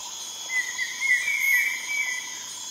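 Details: A Greater Jacamar, flycatching along the Tahuayo River in Peru and recorded from a dugout canoe, gives a thin, wavering whistle of about a second and a half, lightly rising and falling, over a steady high insect drone.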